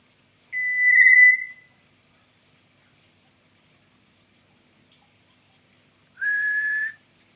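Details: Black-naped oriole, reportedly heard at night, gives two separate drawn-out whistled notes about five seconds apart, the second slightly rising and nasal, over a steady high insect drone.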